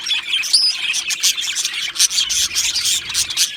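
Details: A pair of male Australian budgerigars chirping busily: rapid, sharp, high ticks and chatter, opened by a clear rising-and-falling whistle, with a brief squeaky whistle near two seconds.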